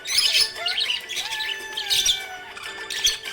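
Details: Happy budgie chirping: dense, busy chatter of bright chirps and squawky notes in bursts, with a faint sliding tone running beneath.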